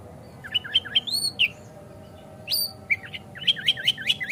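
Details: Kacer (Oriental magpie-robin) song used to rouse another kacer into singing and tail-opening: rapid looping whistled phrases, a long rising slur, a sharp upswept note, then a quick rhythmic series of bouncing chirps over faint hum.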